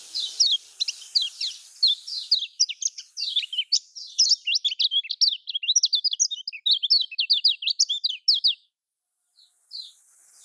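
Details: Lombok lemon-bellied white-eye, played to get lazy caged birds singing. Over eight seconds of fast, crowded, high-pitched twittering, sharp chirps tumbling one after another, ending in silence and faint hiss.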